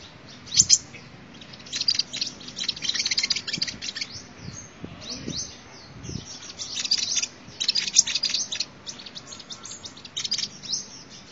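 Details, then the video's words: Sunbird song for luring birds: a long, busy stream of high, thin twittering and chattering notes with short pauses, over faint low background noise. "tiếng chim hút mật"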